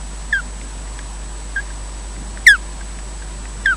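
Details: At Loch Garten in Scotland, an osprey calls on the nest while its mate slowly hands over incubation duties: loud piercing down-slurred chirps, roughly one per second, one especially strong, over faint hum.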